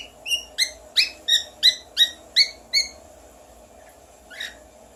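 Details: Pet parrot imitating whistles: eight bright, rising whistled chirps in quick regular succession, about three per second, followed after a pause by one soft extra note, over a low steady hum.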